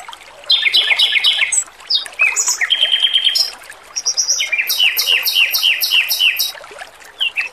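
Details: Over water sounds, a male Pekin robin delivers rapid warbling phrases, a steady whistled note and a long series of quick, evenly repeated ringing notes.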